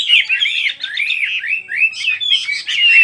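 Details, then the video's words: Rapid, lively chirping and warbling from birds, with rising and falling notes running together, ending in a thin, steady whistle. "Chỉ có nghe chim hót là tâm hồn thanh thản nhất."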